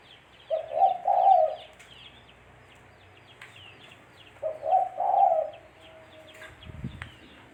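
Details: Spotted dove calling, used as a lure for trapping: two soft, low, hollow cooing phrases of several notes each, a few seconds apart, with a faint click near the end.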